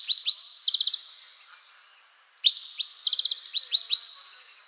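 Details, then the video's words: European Goldfinch in Britain, a cheerful, lively song of high bell-like trills like rapid chatter; two bursts of quick rising slurs and tinkling trills separated by a short silence. "Here's what the goldfinch sounds like."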